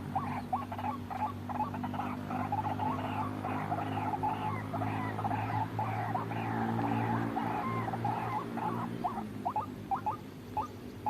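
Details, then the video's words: White-breasted waterhen lure for trapping: a long, fast series of croaking, nasal notes, about two a second, loud and overlapping in the middle and thinning to short upslurred calls at the end, with strong low hum. "suara pikat burung ruak ruak"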